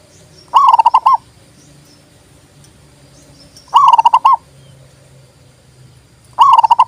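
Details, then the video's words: Zebra dove song of repeated, quick, trilling coo bursts, roughly one every three seconds, clear over faint low background hum. "TERAPI PERKUTUT MOGOK BUNYI PALING TOP"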